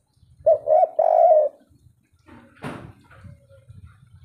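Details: Native wild spotted dove singing in the 'kuk 3' style: a brief run of three mellow coos, one longer, followed by a sharp rustle or thump and faint low background noise.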